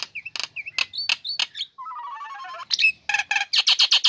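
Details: Caged female Nias hill myna singing straight after its cover is lifted, kept to coax lazy birds into singing; looped whistles, a low descending warble, then loud harsh repeated bursts.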